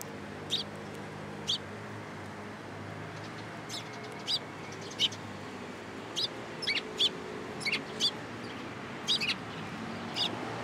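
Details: Sparrows at a Tenmangu shrine on 13 April 2023, coming onto an outstretched hand to be fed; many quick high chirps at uneven intervals, several in clusters, with low background rumble throughout.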